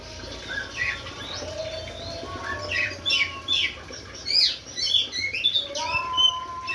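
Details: Oriental magpie-robin, called a fighter bird, singing in competition: a varied stream of sharp whistles, buzzy rising and falling notes and short chirps, with steady faint tones running beneath.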